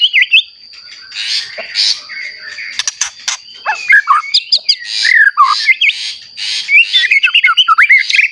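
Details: Long varied performance by a white-rumped shama, used to rouse other shamas into song: twisting whistles, sharp clicks and chattering runs that grow denser and faster toward the end, over a steady high whine.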